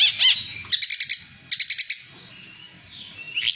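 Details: Oriental white-eye, used as a master song for training other birds: short bursts of high, quick chirps in rapid clusters, separated by pauses, with faint low background rumble.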